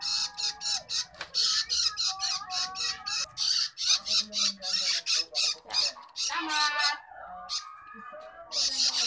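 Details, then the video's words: Fast, insistent begging from a long-tailed shrike chick at feeding time, rapid harsh rasping squawks pouring out several per second, with a brief lull and a tonal sound near the middle. "feeding baby bird shrike"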